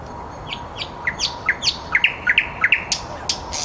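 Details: Nightingale singing in the city of Helsinki (Käpylä) at 21:30, a string of short, sharp whistled notes sweeping down and up, delivered several per second against a steady low urban hum.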